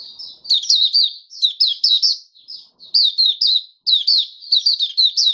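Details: Oriental white-eye in captivity, recorded 20 January 2022 five days after deworming, in 'buka sing' song: clean, high-pitched warbling bursts of rapid rising and falling notes, each about a second, with short silences between.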